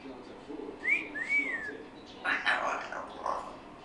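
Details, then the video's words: A young female African grey parrot, 14 weeks old and kept as a pet, finding her voice and chattering indoors: two clear arching whistles, then a burst of scratchy, rasping chatter. "African Grey Parrot Chatting"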